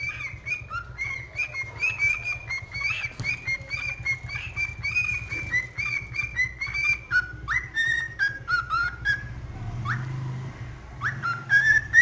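A cockatiel sings a run of bright whistled notes, some warbling and some sliding up or down.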